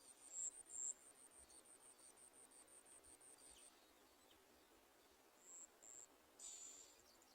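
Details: Bar-winged prinia chicks being fed by their mother, calling in a rapid series of very high, thin, squeaky notes, then a pause and a few more bursts of shrill squeaks, with faint rustling.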